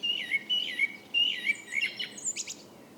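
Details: A blackbird sings in the evening: a quick series of about five short, looping fluted notes, repeated at a steady pace, trailing off into thin high squeaks.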